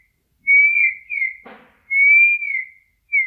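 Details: Eurasian bullfinch singing in nature, giving soft, pure piping whistles, each note held and gently falling, paired in phrases about every second and a half, with a brief rustle between.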